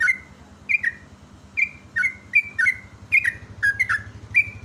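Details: Yellow-vented bulbul used as a lure song for training other birds; bright, liquid, bubbly phrases of two or three down-slurred whistled notes, repeated in quick bursts, with a steady low mechanical hum beneath.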